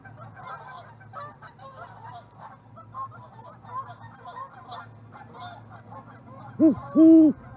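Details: Owl visiting an osprey nest platform in Charlo, Montana, on March 23, 2019, before the resident ospreys return: two loud, low, rounded hoots near the end, following a stretch of soft, scratchy chatter from other birds.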